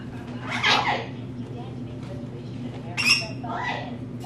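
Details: Indoor pet rainbow lorikeet, female, known for talking: a raspy, descending squawky utterance, then a sharp high burst and a softer speech-like syllable, over a low steady hum.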